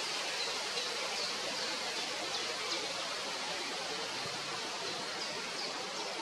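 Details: Steady rushing hiss like flowing water or a stream fills the whole recording, with no animal calls heard.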